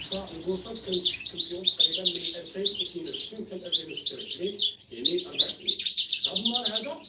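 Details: Mating calls of a caged female European goldfinch calling the male, 2024. Busy, bright twittering of rapid high notes runs almost the whole time, with a short break near five seconds. Fainter lower-pitched notes run underneath.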